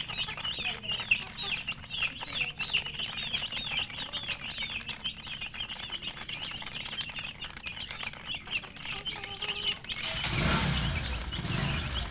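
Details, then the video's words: A brood of chicken chicks chirps in a dense high chorus of quavering peeps for most of the recording, then a loud burst of rushing, rustling noise covers the final seconds. "Murgi chicks Chirping sounds"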